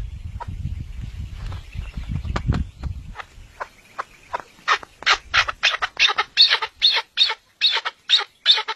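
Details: Chukar partridge, a mountain bird and national bird of Pakistan, calling: low rumbling noise in the first seconds, then a loud series of harsh, broadband clucking notes repeated about three per second, growing stronger toward the end.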